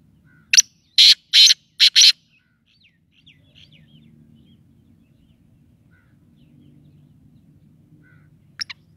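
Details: Black francolin call: four loud rasping buzzy notes in a rapid burst near the start, then quiet with a faint hum and a brief click at the end.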